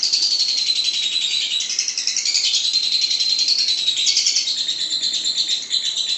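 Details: Lovebird champion-style 'ngekek' chatter used as a master recording for singing-contest training: a continuous high, rasping trill of rapid pulses with small shifts in pitch throughout.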